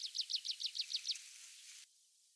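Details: In a rare stand of mixed woodland in Mongolia, a wild tree pipit sings a string of eight quick, high, down-slurred notes in even rhythm. The song breaks off, followed by soft hiss.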